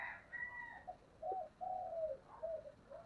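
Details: Spotted dove in the 'giọng thổ' voice style calling intensely: a string of low, slurred coo notes with one long drawn coo in the middle, over steady background hiss.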